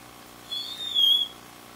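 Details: A Varied thrush singing in the rain gives one long, high, slightly buzzy whistled note, held steady then dipping a little, about three-quarters of a second long, over a quiet background.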